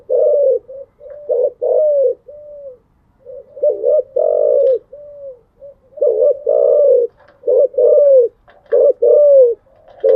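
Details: Spotted dove, a cage bird, cooing steadily in the early morning: many low hooting phrases in quick succession, each a clipped double note and a longer falling coo, with short softer notes between.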